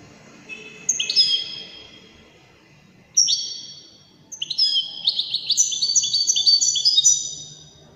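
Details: European goldfinch described as Widani, singing with elegant delivery: bursts of bright, high, tinkling twitters and trills, one short phrase near the start, then a long rapid run of overlapping notes after a pause, over faint low background hum.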